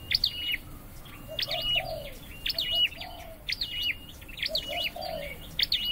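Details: Caged Scarlet-headed flowerpecker under singing training repeats fast, high, piercing chirp phrases with brief flat whistles. Low, soft cooing from another bird recurs in the background.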